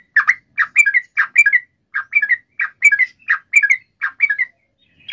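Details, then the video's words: Sooty-headed bulbul in energetic gacor song with long ropel rolls, used to lure other sooty-headed bulbuls into replying: repeated bubbly paired notes, dropping then lifting in pitch, in loose groups with brief pauses. "SUARA trucukan gacor ROPEL PANJANG pancingan trucukan agar bunyi"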